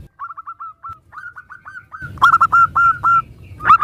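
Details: Cooing song of a local zebra dove, meant to provoke other doves into replying: quick, soft stuttered notes, then a louder sequence of drawn-out rising coos after a break, with low background hum.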